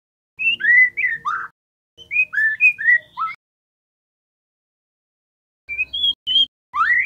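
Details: White-rumped shama singing, used as prompting song for captive birds: two fast runs of rich, bouncing whistles with upward slurs, a long silence, then a further phrase ending in a steep rising note over a slight low hum.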